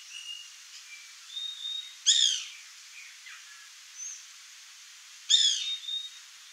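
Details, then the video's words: White Woodpecker (Melanerpes candidus; pica-pau-branco, birro, cri-cri) giving two harsh, stacked chattering bursts about three seconds apart, with thin whistles and soft chips from other birds between them. "WHITE WOODPECKER (MELANERPES CANDIDUS), PICA-PAU-BRANCO, BIRRO, CRI-CRI"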